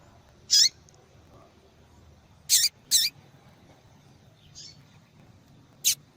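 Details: Female double-collared seedeater calling, used to stimulate song in males; brief high chipping notes, five spread over six seconds, some in close pairs, with a faint softer note between them over quiet background hiss.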